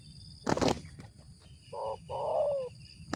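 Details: Spotted dove with a deep 'ngeruk' voice, a bird considered fit for use as a lure, giving a short low coo followed by a longer, slightly falling husky coo, preceded by a loud rustling burst.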